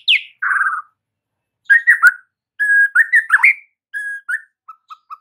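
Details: Master song of the white-rumped shama to wake silent birds into singing and aggression: a sharp falling whistle and buzzy note, then spaced clear whistled phrases fading into soft low piping.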